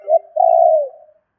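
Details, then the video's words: Spotted dove calling to attract wild birds: one low coo, then a long rolling purr-like coo that fades as it falls, a single phrase in quiet surroundings. "Tiếng chim cu gáy gọi thúc kích bổi nhanh nổi"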